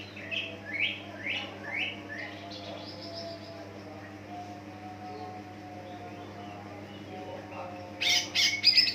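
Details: Greater green leafbird, a lure song meant to make other leafbirds answer and sing; a run of quick downward-sliding whistled notes, then a quieter stretch and a harsh high burst at the end, over a steady low electrical hum.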